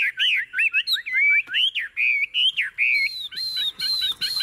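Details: Tame caged Chinese hwamei singing nonstop: a lively run of looping, slurred whistles that rise and fall, then a series of bright high notes repeated about every half second, with faint background noise.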